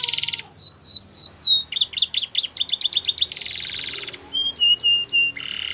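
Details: Gloster canary training song with varied phrases: a buzzy burst, looping downslurred whistles, rapid clipped trills, a dense rattling tour, then spaced high chirps and a final buzzy rattle.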